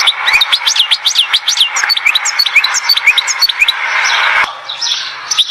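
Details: Goldfinch at Oued Zhour, Skikda, giving a stream of quick chirps and sliding high notes over a steady broadband background hiss that grows louder toward the end.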